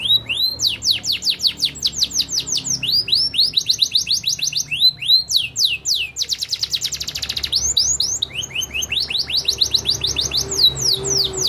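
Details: A canary delivers a long, loud song of repeated downward-sweeping whistles that break into fast rattling trills and then return to a flowing run of slurred notes.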